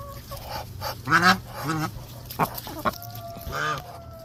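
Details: Muscovy ducks give short, harsh, honking calls in a few bursts, with a steady low hum behind them.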